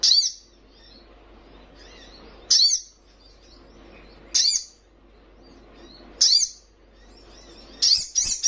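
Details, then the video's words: Brown-throated Sunbird, a young bird, repeating single loud high chips roughly every two seconds, ending with a quick double chip, soft twittering in the gaps. "Sogon trotolan paling gacor"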